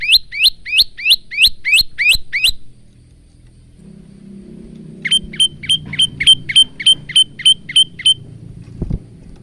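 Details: Bar-winged prinia male singing with variations, captured by phone as training song for cage birds: a run of eight rising chirps, a pause filled with low vehicle rumble, then about a dozen flatter, quicker repeated notes.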